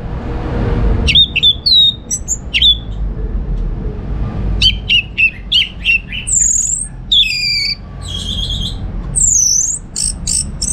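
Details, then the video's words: Orange-headed thrush from Singaraja, Bali, kept as a home songbird, gives receh-style chatter: runs of quick, repeated downslurred chips, then loud ringing looped whistles near the end. A faint low hum sits behind. "Receh & Jos Suara ANIS MERAH Berkicau"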